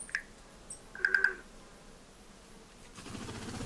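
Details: Tui on Tiritiri Matangi island sanctuary near Auckland, New Zealand, in December in good weather, singing a sparse phrase: a single clear note, then three quick bell-like notes in a row, with a faint high click between; soft background hiss rises.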